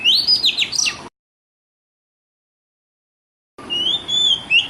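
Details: Oriental magpie-robin lure song for young birds: a brief end of bright upslurred notes, a long gap, then steady clear whistles with a higher overtone, repeated in short bursts.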